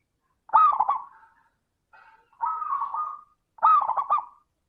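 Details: Zebra dove song meant to coax other doves into singing: three separate rolling, trilled coo phrases, each under a second, spaced by short pauses, the first and last with a sharper stuttering start.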